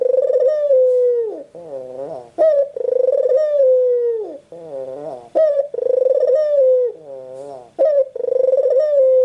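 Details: Steady series of white Barbary dove coos in a quiet room: long vibrating notes that sag in pitch, separated by low rising murmurs and sharp catches, recurring roughly every two to three seconds.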